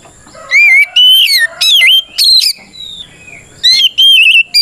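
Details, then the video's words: Oriental magpie-robin belting out a provoking fight song meant to trigger replies from other birds: loud separate whistled phrases, some rising, some dipping, some wavering, with short gaps between them. "Suara Burung kacer gacor NGEPLONG tarung ini paling ampuh buat PANCINGAN KACER agar EMOSI Nyaut"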